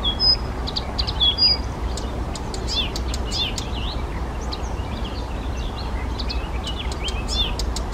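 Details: A Blyth's reed warbler (Acrocephalus dumetorum) in Czechia sings a steady stream of varied high notes, with clear whistles, clicks and chirps one after another, over a constant low rumble. Blyth's reed warbler.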